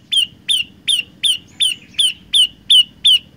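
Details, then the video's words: Olive-backed tailorbird singing actively, a song said to have three variations: nine loud, sharp notes in a row, each dropping quickly in pitch and then levelling into a short tail, spaced about a third of a second apart, steady and even. "Burung Prenjak Lumut Gacor Suara 3 Variasi"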